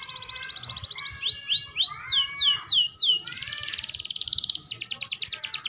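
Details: Canary singing a master recording meant to train young and adult canaries: a fast buzzy trill, then rising and falling whistled sweeps repeated about three per second, then further rapid rattling trills.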